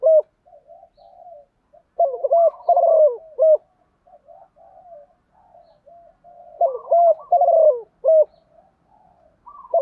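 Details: Female spotted dove (Spilopelia chinensis) cooing to attract a male: soft, low cooing phrases, two louder bursts of throaty coos about five seconds apart with quieter murmuring coos between.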